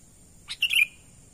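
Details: Sooty-headed bulbul, natural call for luring wild birds: a single brisk phrase of two clipped high notes running into a liquid, chattering trill that drops in pitch. A faint steady electronic-sounding whine stays in the background.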